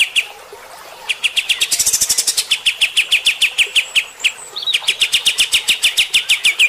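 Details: Bulbul, locally kapas tembak, giving steady, rough shooting-style song to provoke fighter-type birds: near-continuous quick-fire chirps, high sizzling notes mixed with lower ringing ones, briefly broken by a slurred note.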